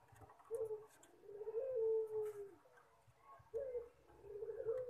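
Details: Fainter cooing from a puter pelung collared dove, with bubbly broken notes, one sustained slightly falling coo of about a second, then more short coos over a low hum.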